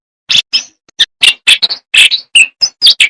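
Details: Jongkangan singing a rich, full song with sharp bursts: a quick run of short, bright whistled chirps and piping notes, about a dozen in three seconds, some sliding up or down. Nothing else is heard.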